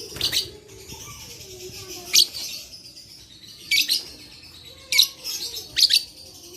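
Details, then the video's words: Lovebird song, recorded 11/4/21 as therapy to provoke quiet lovebirds into singing: short harsh, shrill chattering bursts repeated at uneven intervals of one to two seconds, with quieter faint twittering between them. "Terapi Lovebird Malas Bunyi Cocok Untuk Memancing Bunyi Semua Love Bird"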